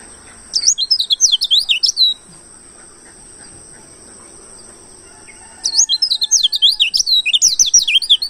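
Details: Wild-type oriental white-eye in two bursts of quick, twittering song: high whistled notes zigzagging up and down for about a second and a half, a pause of several seconds, then another burst; a steady faint high hiss lingers throughout.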